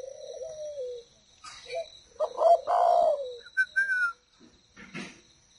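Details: Spotted doves kept as a breeding pair in captivity: a soft falling coo, then a louder rough cooing phrase sliding downward, followed by thin high whistles; a steady high-pitched tone runs throughout.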